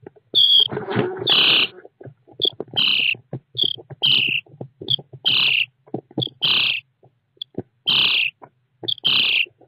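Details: Young common starlings in a nest box, filmed by an internal IP camera in June 2017, produce scratchy, hissing rasps about once a second. A few have a thin squeak at the start, and a muffled rustle sounds early on.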